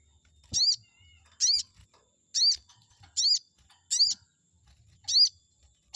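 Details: Chestnut-backed scimitar babbler song played to provoke a rival's response: six high, ringing arched notes spaced under a second apart, with a faint thin whistle and low bumping noises in the background.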